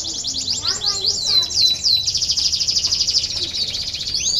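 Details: Canary song intended to stimulate lazy canaries to sing: quick falling whistled notes leading into a long, fast, even high trill with steady pulses.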